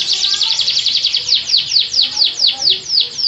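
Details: Canary delivering a steady, loud rolling trill of repeated sweeping notes, about four per second, high and clear throughout.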